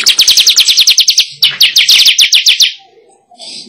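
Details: Weaver lure recording: rapid, high, scratchy chirps in a steady stream, about five per second, stopping abruptly, followed by faint low sounds and a soft hiss.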